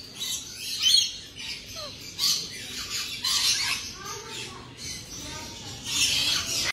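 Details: A tame black-capped lory, just arrived at a bird store in Ferntree Gully, Victoria, gives harsh, buzzy screeching squawks in uneven bursts every second or so, mixed with short lower chattering notes.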